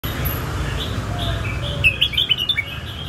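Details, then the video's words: Red-whiskered bulbul singing in the song styles called Phet and Prachathipat: a quick burst of bright, warbled whistled notes over steady low rumbling background noise. "นกกรงหัวจุก เพลงเพชร เพลงประชาธิปปัตย์"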